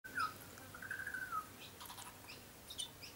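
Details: Young butcherbird, a tame bird that often visits a garden and still has lighter black plumage, sings a few clear whistled notes, a level tone sliding slightly down then a second longer whistle, with faint high chips afterward.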